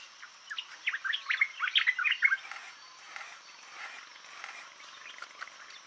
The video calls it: white throated bulbul